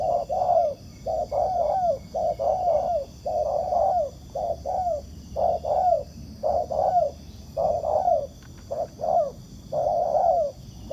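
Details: Wild spotted dove cooing in answer to a decoy bird during ground trapping, a fine bird with good cooing: low, mellow coo phrases repeated about once a second, with steady high insect-like tones behind throughout.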